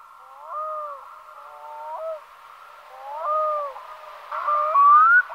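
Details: Black-throated Diver calling with short, mellow, wavering notes in separate phrases, ending in a brighter upslurred whistle near the close.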